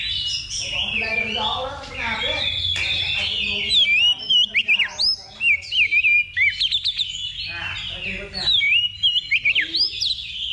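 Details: Level-two contest simulation for practice before competition: an Oriental magpie-robin sings fast, varied whistled phrases mixed with dense chattering notes, strong and nearly continuous, with faint voices behind.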